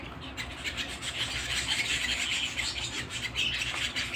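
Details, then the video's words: Canary singing indoors at home, rasping buzzy trills mixed with thin high whistles, repeated in quick rhythmic runs. "canary singing at home"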